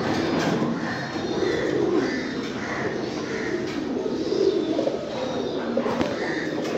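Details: Several domestic fancy pigeons coo in low, swelling phrases, overlaid by a series of short, higher chirped notes from other birds repeating roughly every half second.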